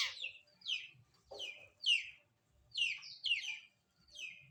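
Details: Long-tailed shrike at its morning bath, singing a string of bright, quickly falling slurred notes, repeated irregularly about every half second, with faint low background noise.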